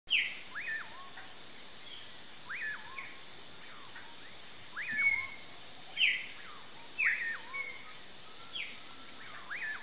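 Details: Common pauraque singing at sunset: slurred whistles that rise sharply, then drop and level off, repeated about once a second. Steady high insect trill underneath, with short downward chirps from other birds.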